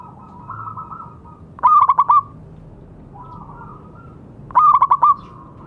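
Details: Local zebra dove singing steadily, played to encourage doves that have gone quiet: two strong bursts of fast, knocking coo notes three seconds apart, with gentle warbled coos rising softly in between.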